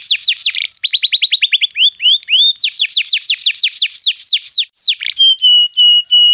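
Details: Canary song played to prompt another canary to sing: rapid trills of descending high whistles, switching to faster repeated notes, then long steady pure whistled tones near the end.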